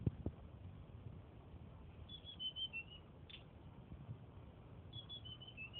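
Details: Young flycatcher (tledekan) from Purworejo, still being trained to sing: faint high thin whistled phrases, several short notes stepping downward, heard twice, amid low rumbling room noise and a few knocks.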